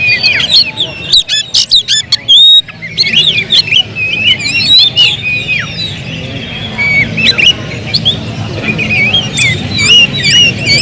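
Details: Oriental magpie-robin, a kept bird, gives bursts of loud sharp clicks and chips, then a long stretch of fluid whistled phrases that rise and fall, with a low rumble underneath.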